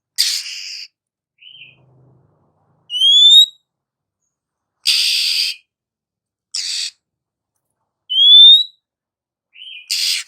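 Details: Female Oriental magpie-robin singing to provoke slow, silent males into song: clear rising whistled upslurs alternate with harsh, broadband rasping bursts and short low notes, separated by silent gaps of about a second.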